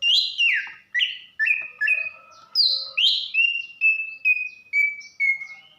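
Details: Female greater green leafbird from Banyuwangi, kept to excite a silent male into song, giving a run of about a dozen clear whistled notes, first falling then level and gradually lower, roughly two each second.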